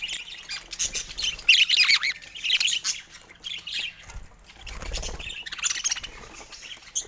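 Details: Pet budgerigars busy with toys in the morning give a run of gurgling, wavering warbles and squeaky chirps, with soft thumps and rustling from play beneath.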